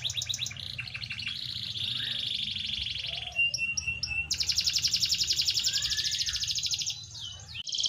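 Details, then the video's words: A canary sings a loud, powerful, continuous song of rapid trills and rolling tours, high and bright, switching between fast buzzy rolls and clear chirped notes. "قوة تغريد طائر الكناري"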